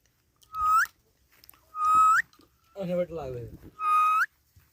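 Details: Ringneck parrot calling with piercing, rising shrieks, three in all, and a lower, wavering voice-like babble between the second and third.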